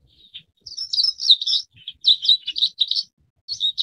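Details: Forest wagtail uttering dense bursts of thin, high chirps, with clustered rapid notes after a soft opening, short gaps, then another tight run and a final pair of bright notes.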